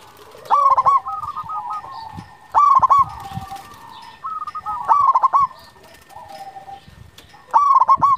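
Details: Locally bred zebra dove known for bold, frequent singing repeats stammering coo phrases about every two seconds, with soft rolling trills between bursts.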